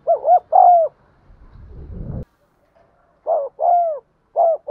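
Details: Spotted dove cooing, played to get caged birds to coo: soft hooting two-part coos near 700, a short double note then a longer falling one, repeated twice with a brief rustling noise between.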